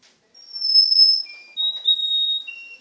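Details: Young male canary, seven months old, in Garni, Armenia, recorded 2 October 2014, singing long, clear whistled tones at a steady pitch, each held for up to a second, then shorter notes stepping down.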